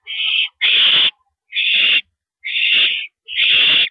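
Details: Owl calling as a mouse is delivered, 9:17 PM on April 13 2012: five rough, breathy screeches in quick succession, each about half a second, loud and close.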